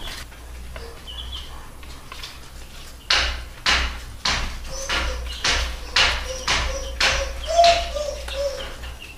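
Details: Spanish Franciscan hen with her chicks gives short, low clucks about twice a second among sharp tapping or scratching noises; a few faint, high chick peeps come early on.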